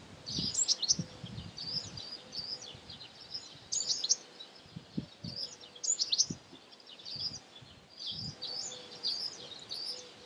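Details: African blue tit (Cyanistes teneriffae degener) on Fuerteventura, Canary Islands, Spain, in February 2017, giving bursts of high, thin chirping notes every one to two seconds, with low thumping sounds in the background.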